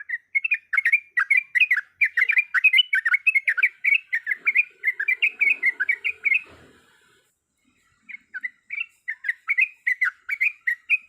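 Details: Calls of a breeding female yellow-vented bulbul summoning a male, a rapid chattering stream of short burbling notes that breaks off for about a second and a half, then resumes in looser spaced chirps.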